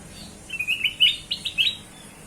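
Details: Black-crested bulbul (kutilang emas), a lure recording for drawing other birds: one bright phrase of about seven quick, bubbly, whistled notes that rise and fall in pitch, lasting just over a second.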